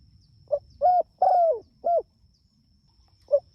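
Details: Spotted dove, an energetic caller, calling its companions: a four-note cooing phrase near 700, a short low coo, two longer steady coos, the third drawn out and falling, then a brief coo answering alone at the end.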